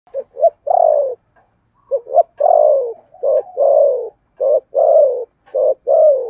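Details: Spotted dove cooing in the Vietnamese 'thổ sấm' voice style: low, mellow phrases of two short soft notes followed by a long, drawn, slightly falling coo, repeated several times over clean silence.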